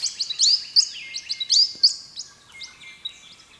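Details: A wild bird singing early in the morning on Australia's east coast: quick bright chirps, each sweeping sharply, repeated in uneven bursts about every quarter second, over a long steady whistled tone from another bird.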